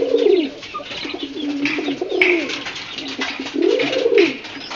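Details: Pigeon cooing: three deep, arched, throaty coos, each swelling and falling over about half a second, spaced irregularly, with faint rustling and scratchy background noise between them.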